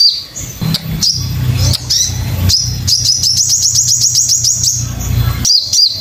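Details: Crimson sunbird for training birds to sing: a few loose high chirps, then a fast, even series of about a dozen bright, rising chirps and a final pair of notes, over a low hum.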